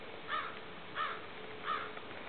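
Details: Atlantic subspecies of snow goose, dated 7.8.12, giving three evenly spaced, husky honks with a sharp onset, roughly one every 0.7 seconds, above a faint constant drone.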